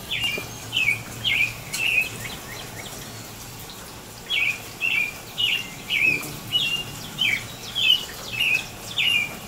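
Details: An American robin sings in the rain on April 22, 2018, giving clear, warbled caroling phrases about twice a second in runs broken by a short pause, over steady patter of rain.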